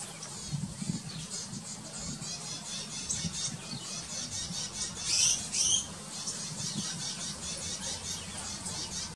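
Zebra finches keep up a dense, busy chatter of high, thin chirps, with a louder squeaky burst midway and a low rumble underneath.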